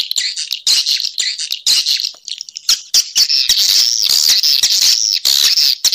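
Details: Swiftlet calls from a recording marked Sp M567, with bursts of high twittering broken by short gaps, then a steady, unbroken stretch of shrill chirps with a thin whistled tone running through it.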